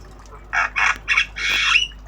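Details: Tame black-winged starling (jalak kebo) learning sounds, obyogan style: four rough, raspy squawks in quick succession, the last one longest and ending in a rising whistle.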